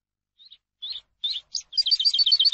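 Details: Teaching song of the Eurasian skylark for captive birds: a few soft, hesitant high notes lead into a rapid, bright, rippling trill.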